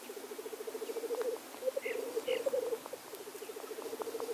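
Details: Black grouse lek with displaying males: a fast pulsed, cooing roll that rises into a louder warbling middle, then settles back to even bubbling. There are two short higher hissing notes.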